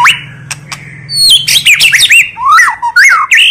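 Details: White-rumped shama female voice in the tạch líu style, for firing up a male's fighting spirit. Loud and close, with a rising whistle, then quick looping squeaky notes and sharp clicks over a faint low hum.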